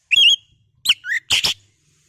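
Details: Oriental magpie-robin lure recording meant to agitate kept birds into singing: three short bursts, first two clear whistled notes sliding and dipping, the last a harsh buzzy rasp, with silence between.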